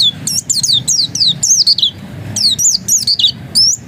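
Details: Pleci dakun, the oriental white-eye, singing in the insistent ngotot style: bursts of high, looping, slurred whistles, a short pause near the middle, then renewed fast notes.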